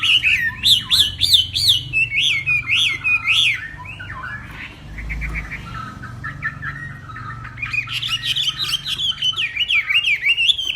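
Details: A Hwamei of northwest Vietnam singing during a morning contest: loud repeated zigzag whistles, a softer gap with low background noise, then a fresh run of rapid, warbling repeated phrases.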